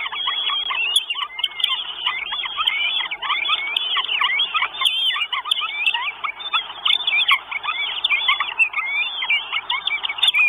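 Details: Four Northern goshawk chicks at a nest in Estonia, 1 June 2022, filmed by a live nest camera, begging for food: dense, overlapping, high whistled calls that arch up and down, nearly nonstop for ten seconds.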